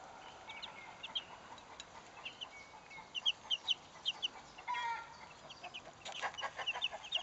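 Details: Salmon Faverolles chicks aged twelve days, a brood uttering bright, short peeps in rapid runs, with a brief lower rasping sound midway and soft scuffling.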